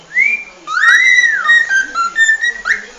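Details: Cockatiel song heard as a sustained melodic whistle: a rising note held, then a long arching tone and several steady notes at shifting pitches, flowing like a tune, with faint background hiss.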